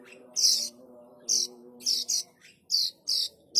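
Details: Chick of plain prinia giving harsh high rasping calls, a sound used to attract adults: short buzzy bursts roughly once a second, some paired, over faint mechanical humming.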